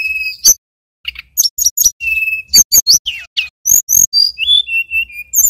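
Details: Male mountain tailorbird from Banyuwangi, singing energetically: rapid high chirps and sharp notes broken by short pauses, with clear steady whistles near the middle and a string of descending whistled notes at the end.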